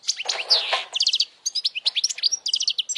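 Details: Short burst of European goldfinch song, sung loudly for young goldfinches to copy: a harsh nasal buzz at first, then quick clipped chirps and sweet tinkling notes in a lively run.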